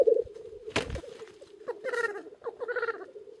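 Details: Black grouse cocks displaying on the ground at an early-spring lek beside a hide: steady low bubbling cooing with a sharp hissing burst and short nasal calls over it.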